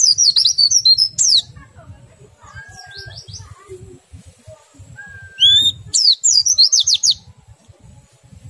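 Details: Oriental white-eye song, sung in the ngriwik and ngerol styles to prompt other white-eyes to join in: rapid bursts of shrill, twittering high notes with a lone slurred whistle between them and a low thumping rumble underneath.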